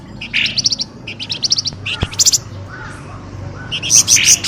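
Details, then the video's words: Noisy pelamboyan bird calls used as a lure to draw birds out of bushes: quick bursts of high, sharp chirps in rapid trills, pausing between groups, with a single sharp click midway and faint low background hum. "SUARA PIKAT BURUNG pelamboyan ribut"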